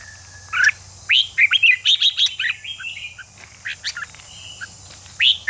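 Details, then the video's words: Red-whiskered bulbul song to stimulate fighting song: loud, clear whistled phrases with rapid rising and falling notes, a dense run of syllables in the middle, then a final phrase; low hum throughout. "Kích chào mào ché/chào mào kích bổi sổ bọng/kích chào mào lên lửa/giữ lửa chào mào chơi giàn"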